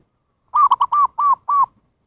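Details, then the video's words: Zebra dove calling as a lure for wild birds: a run of six cooing notes, the first few fast and clustered, the later ones evenly spaced and drawn out, in silence. "SUARA PIKAT PERKUTUT นกพิราบชวา Chim Cu Vằn | memanggil burung liar"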